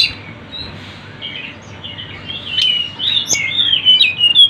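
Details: Tledekan gunung, the Sunda bush warbler, recorded as a tutor and lure track: soft twitter at first, then quickening high chirps and slurred notes about twice a second, growing louder toward the end.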